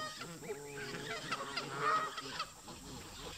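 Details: A flock of park geese, locals at odds with migrating visitors, honking in a steady overlapping chorus that swells briefly in the middle.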